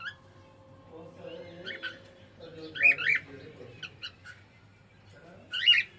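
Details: A domestic cockatiel sings a few scattered whistled and squawky notes in short clusters, with quieter murmured sounds and background hum between them.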